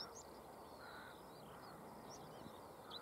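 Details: Stonechat singing early in the morning from the top of a perch at Cavenham Heath, Suffolk, UK, 6:22 am on 22 March 2015: short, scratchy, high-pitched warbling phrases in quick bursts over a low rumble of wind or distant traffic.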